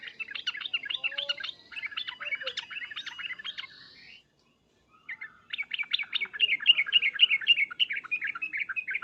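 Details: Yellow-vented bulbul calls in an excited, agitated state: dense, fast chattering 'uplik-uplik' phrases, broken by a silent pause of about a second, then resuming even more strongly.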